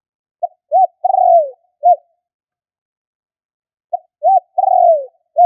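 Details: Luring call of a spotted dove: a short coo, a rounded second note, a long descending coo and a clipped closing note, two such phrases separated by a silent gap of about two seconds.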